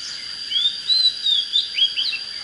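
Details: Oriental magpie-robin, singing to fire up birds for fighting, gives soft sweet whistled phrases that rise, waver and end in short sliding notes, against a steady high background tone.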